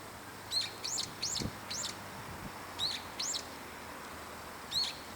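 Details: In winter, high in a park tree, a brown-eared bulbul calls back and forth with other bulbuls nearby, giving sharp, high, up-slurred squeaky notes singly or in quick runs of two or three, spaced irregularly, over a faint low rumble.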